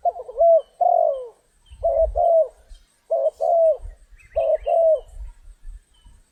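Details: Spotted dove in stormy rain while being trapped: paired coos, a short note then a longer falling one, repeated four times, with soft low thumps underneath.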